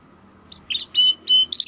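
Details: Domestic canary song recorded as master material for training competition birds: a few scattered high chirps followed by two short clear whistled notes, with faint low background hum.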